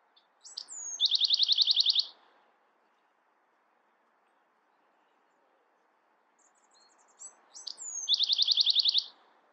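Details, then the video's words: Two songs of a Bewick's wren about six seconds apart, each opening with short high notes and a down-slurred whistle before a rapid, loud trill of repeated notes. "Beautiful Bewick's Wren Songs |Calling | Singing!"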